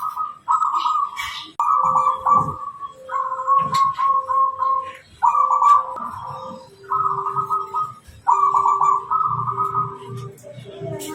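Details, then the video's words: Wild-type local zebra dove singing continuously, as used to lure wild birds: repeated trilled, purring cooing phrases with lower steady tones beneath, in bursts about every second, with faint low background rumble. "JAWARA perkutut lokal alam full gacoran tanpa putus bunyi // cocok untuk pikatan burung liar"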